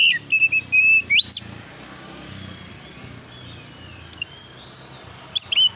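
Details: Lure recording of oriental magpie-robin song to draw replies: a short burst of sweet whistled notes and a rising upslurred whistle, long stretch of steady background noise, then a final pair of whistles.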